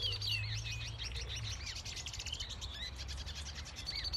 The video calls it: Red Siskin Male Singing